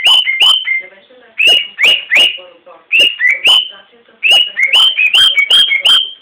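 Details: Singing pet cockatiel gives rapid clusters of clear whistled notes, each rising sharply then holding steady, interspersed with soft lower chatter, in three bursts of several notes each.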